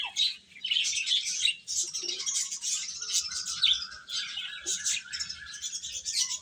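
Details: Young chicks feeding with a continuous wash of high, shrill cheeps from many birds, a faint sustained lower tone running beneath, occasional soft low squeaks.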